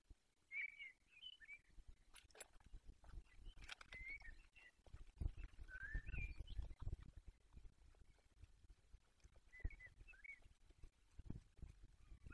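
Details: Peregrine falcons at their nest holding four eggs in the Barycz Valley, 20 March 2022 at 5:45: short, scratchy chirping calls in scattered bursts, a few notes each, over steady low rumbling background noise and occasional clicks.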